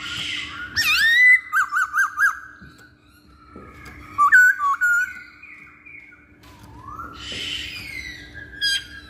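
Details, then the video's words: Masked laughingthrush song as a lure to make other birds sing: a loud slurred whistle and a quick run of four bouncing notes, a quieter gap, then scattered whistled phrases and a falling slur. "Pancingan Poksay Hongkong"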